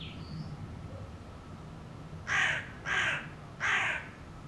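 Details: Three rough, grating caws from a hooded crow in a quick series, with a few faint high bird chirps before them.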